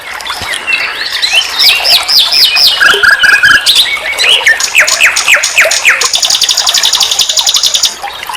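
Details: Common nightingale song used as a master for teaching songbirds, with rapid repeated upswept notes, a short low trill, more varied chirps and a long, steady, high buzzing trill near the end.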